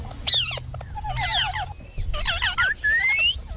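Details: Pet Indian ringneck talking: squeaky, modulated syllables in short groups, with a low humming sound under the middle part and a long, thin whistle rising at the end.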